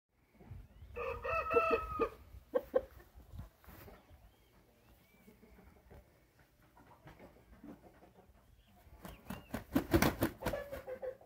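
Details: An Índio rooster from Paraná, Brazil, spotted pintado type, gives one short crow, brief and hoarse, lasting under two seconds. A quiet stretch follows, then loud rustling and thumping noises near the end.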